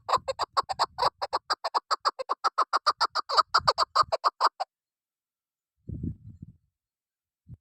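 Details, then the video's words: Chukar partridge used as a hunting decoy, recorded 12 November 2023: a rapid string of harmonic clucking chuck notes lasting several seconds, then low thumping handling noises. "شکاری چکور زبردست آواز ۔۔۔Best sound of keklik sesi"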